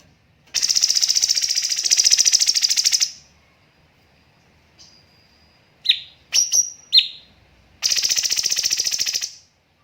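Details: Cucak cungkok master recording for training birds, with pauses and dense tembakan bursts: a long rapid buzzy trill of about three seconds, a gap, a few sharp whistled chips, then another long rattling trill.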